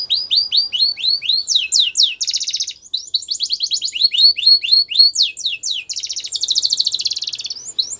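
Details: Male canary song made of fast descending swept notes alternating with dense buzzy rolls, phrases shifting every second or so against a clean, quiet background.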